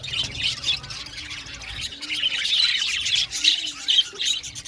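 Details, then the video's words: Budgerigars in an aviary give squawky chirps and warbled chatter, many birds overlapping in a steady, lively flock chorus. "Beautiful Budgies chirping sound"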